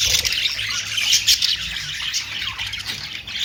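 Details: Budgerigar, known as Australian parrot, producing a bright, continuous warble of high chirps and squeaks with no pauses, many calls overlapping.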